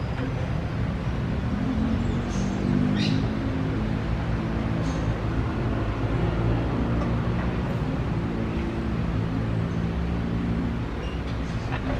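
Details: A steady low engine rumble, like an idling vehicle, with a few faint clicks and knocks and no clear animal calls.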